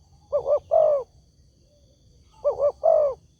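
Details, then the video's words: Two phrases of a spotted dove call used as a lure for answering doves, each a pair of short low coos followed by a longer, slightly descending coo, separated by a quiet gap of about a second and a half. "SEMUA BURUNG TEKUKUR PASTI NYAUT DENGAN SUARA INI"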